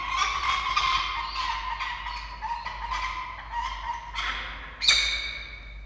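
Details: Peregrine falcon pair at a camera-watched nest in Orange, Australia, on 21 August 2023, the male delivering a live starling that the female declines. A steady run of rasping, ringing calls is followed by a loud, sharp cry near the end.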